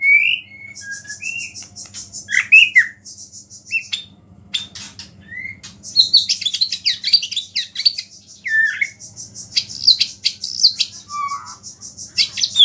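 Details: Energetic white-rumped shama song with a small-bird fill, used to provoke other shamas; varied whistles and slurred notes, sudden clicking and chattering bursts, and a long high buzzy trill underneath.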